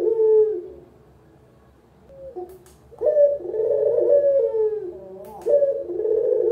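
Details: Local puter collared dove cooing as a lure and training recording for beginner birds: a short low coo, then after a quiet gap a long rolling, purring coo that slides downward, with another phrase beginning at the end.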